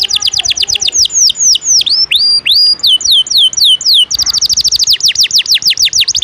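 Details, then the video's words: Canary used as a song tutor for contest birds, singing 'ngejos': a steady series of falling whistles gives way to slower swooping slurs, then a rapid burst of repeated downward notes. "Masteran burung kenari isian ngejos..pedas"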